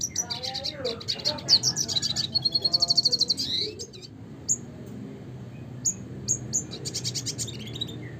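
A red siskin sings a fast, high twittering song with buzzy trills and a rapid run of repeated notes, then sharp scattered chips over a low background hum.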